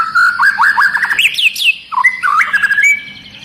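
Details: Agitated long-tailed white-rumped shama in fast, dense song, rousing other shamas; rapid run of rising whistled notes climbing higher, a brief break, then warbling phrases fading out.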